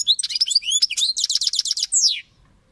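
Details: European goldfinch, a kept bird, pouring out a fast, continuous phrase of bright twittering notes, a rapid rolling rattle and a final downslurred squeal, then abrupt silence.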